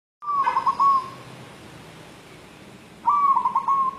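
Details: A white local zebra dove, calling while seeking a mate, gives two low, mellow cooing phrases about three seconds apart. Each opens with a clear note, stutters through quick tremulous beats, then trails off in a steady hoot.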